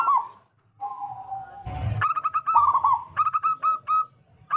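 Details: Zebra dove song, from a local loud-voiced bird used to lure others into singing: a warbling opening note and a soft low coo, a brief noisy rustle, then a quick series of short repeated coos that slows toward the end.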